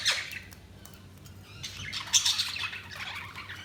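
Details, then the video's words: Budgerigars chirping, a busy wash of overlapping high twittering and squawky chatter, with louder bursts at the start and after the midpoint, over a faint low hum. "Budgies Sounds| Budgies Chirping sound"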